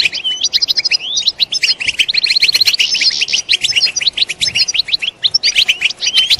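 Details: Loud European goldfinch group batbata, contact chatter tied to mating used to excite males: fast run of ringing twitters, tinkling trills and buzzy upslurs, tumbling on without pause throughout.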